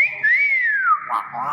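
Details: Thai common hill myna of the intermedia race gives a long whistle that rises, then slides slowly downward, followed by a brief rougher note in an echoing room.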